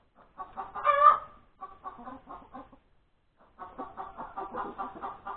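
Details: Laying hen at breakfast time, Sunday 31 January 2021: one loud, strained cry, then a rapid run of clipped clucks, a pause, and another steady stream of quick clucks.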